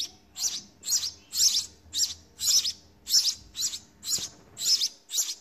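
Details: Young house sparrows in the nest beg as they are fed, giving a continuous run of rasping, high chirps close together, nearly two each second.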